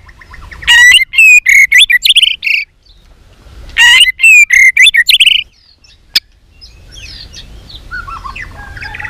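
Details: White-rumped shama (chòe lửa) practising contest song ('hót đấu') with many voices: two loud bursts of rich whistles and quick twisting notes separated by a pause, a sharp click, then faint distant chirping.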